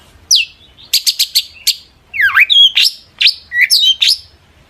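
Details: Long-tailed shrike singing intensely as a lure for other shrikes to respond. A downslurred whistle and quick run of sharp chips are followed by dipping, swooping whistles and bright upslurred phrases.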